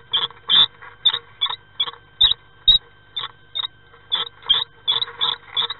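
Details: Common swifts in nest box 9 on 5 May 2016, when a partner arrives to join its mate present since 30 April: short, shrill squealing bursts repeated about twice a second, irregularly spaced, with low hum underneath.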